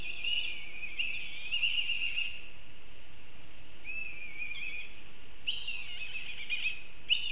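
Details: Black kite heard in Kurzeme, repeated short quavering whistled phrases with trembling overtones, several bursts spaced over seven seconds above a soft, constant rural noise bed.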